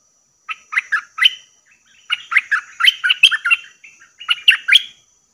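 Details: Lure call of a bulbul for attracting wild birds: three loud bursts of rapid, liquid, chattering notes with brief pauses between, each burst a tumbling series of bright warbles.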